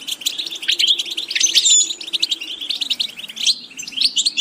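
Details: Goldfinch singing for vocal training: short bursts of high, tinkling twitters and buzzy trills, with a couple of clear whistled glides near the middle; a faint hum sits underneath.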